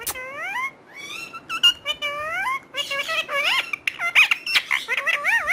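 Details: Talking parrot producing a rapid run of high, speech-like warbling syllables, sliding up and down in bright tonal bursts for several seconds, with clicks and a sharp squeak near the start.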